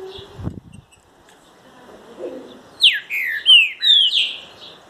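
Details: Rufous-bellied thrush, described as genuine, singing a short phrase of loud clear whistled notes, several sliding downward then a rising note, about two seconds long, after a low thump and handling noise at the start.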